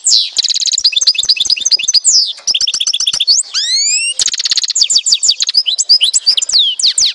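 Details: Goldfinch from Tizi Ouzou, Algeria, delivering a continuous stream of high twittering trills and chatters. Near the middle come three rising, slurred whistles, followed by more rapid, metallic, tinkling phrases.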